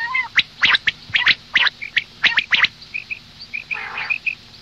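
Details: Morning calling by a female common quail: a series of sharp clicking bursts and short high chips, then one softer, raspy nasal note near the end.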